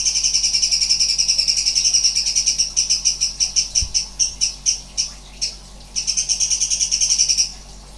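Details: Sooty-headed bulbul singing strange sounds: a fast, high, ringing chirp series, steady at first, then breaking into stuttering separate pulses before returning to a rapid even run.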